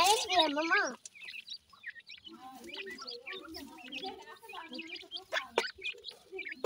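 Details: Francolin chicks while feeding: a wavering, voice-like sound opens, then many soft, short chirps and clucks follow in a busy, uneven stream, about three per second, with occasional sharp clicks.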